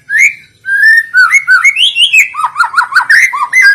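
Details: White-rumped shama song used to set other shamas and songbirds singing: a rising whistle, a short pause, then a rapid, rich run of slurred, bouncing notes.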